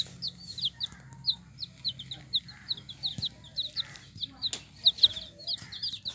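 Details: Several yellow hen chicks peeping: quick, high, downslurred cheeps repeated almost continuously, many birds calling over one another, a faint hum underneath.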